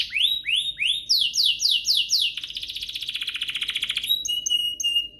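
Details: Domestic canary singing as a lure to prompt other canaries into vigorous song; upslurred and downslurred whistled notes repeated quickly, followed by a dense buzzy trill and short high piping notes.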